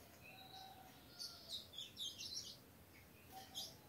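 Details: A spirited, captive three-month-old Ultramarine grosbeak chick gives soft, scattered high chirps and brief twittering bursts. The notes come in short clusters with quiet gaps in a still indoor setting.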